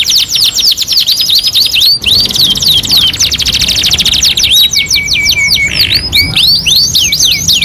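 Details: Canary singing on a two-in-one master training recording: quick falling whistled notes and dense trills, a brief break, then a long flat whistle with slurred sweeps and a loud buzzy burst near the end.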